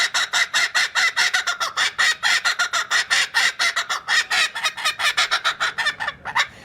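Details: A captive female laughing kookaburra laughing on cue in the morning after a handler rolls her R's: loud, raucous, rapid harsh chuckling notes, about six per second, rising and falling for nearly seven seconds.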